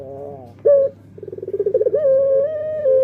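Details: Puter pelung Barbary dove cooing: a brief low note, a pause, a burst of rapid throbbing pulses, then a long even sustained coo lasting to the end.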